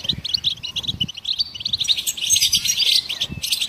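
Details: Twittering song of goldfinches, sung to prompt other songbirds: quick high chirps pour out steadily, growing denser and brighter in the second half, with soft low knocks behind.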